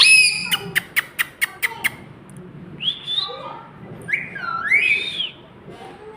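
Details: Talking ring-necked parakeet: a quick series of sharp clicks, then whistled, slurred speech-like phrases rising and falling, indoors with little else heard.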